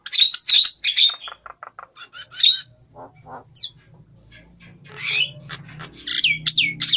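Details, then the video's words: Nias hill myna with a grey-flecked head, singing actively: loud whistled notes sliding up and down, harsh squawks and rapid clicking bursts, a pause with soft low mutters, then more rising whistles and chatter; faint low hum beneath. "Jalak Nias Kepala Beruban Gacor"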